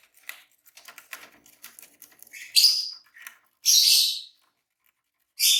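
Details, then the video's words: Green pair of Fischer's lovebirds chirping: soft ticking notes at first, then three loud, harsh, high-pitched screeching bursts, the longest lasting over half a second, with silent gaps between. "Green Fischer Pair -Chirping Sounds"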